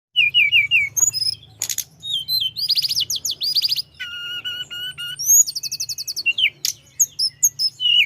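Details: Mountain flowerpecker singing a lively, nonstop rolling song meant to rouse rival birds: high thin trills, downslurred whistles and fast buzzy chip series tumbling one after another over a steady low hum.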